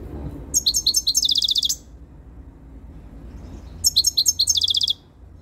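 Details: A European goldfinch, very tame and coming into breeding condition, sings close to the camera: two tight strings of about a dozen quick, high, buzzy notes each, with a quiet gap of roughly two seconds between.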